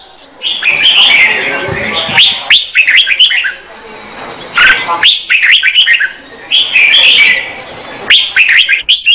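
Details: Female red-whiskered bulbul song meant to excite the male: dense bursts of quick chattering, warbling notes in three long phrases separated by short pauses, with a faint low background hum.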